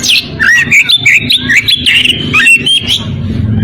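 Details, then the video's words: Oriental magpie-robin in breeding condition, calling a rival: a rapid string of varied whistled notes, chirps and warbled slurs, loud and continuous, with a faint low hum. "Kacer birahi memanggil lawan"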